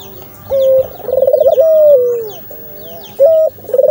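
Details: Dove, known locally as burung puter, cooing: long steady tonal notes interleaved with quick trilled bursts, one note sliding gently downward, sequence repeating over four seconds with faint chirps of other birds above.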